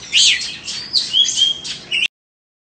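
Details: Brief phrase from a caged Oriental magpie-robin of Indonesian origin, two seasons old: a loud rising-falling whistle, then a thin level whistle and a final chirp before the sound cuts off.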